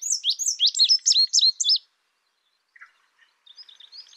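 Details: Indigo bunting delivering a quick burst of high, sharply slurred chirps for under two seconds, then silence broken by a few soft, distant notes near the end.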